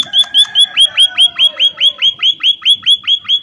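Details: Munia calling to lure other munias into answering: a steady series of short, high, downward-hooked chirps, about two and a half per second, evenly spaced and loud, with faint low rustling beneath.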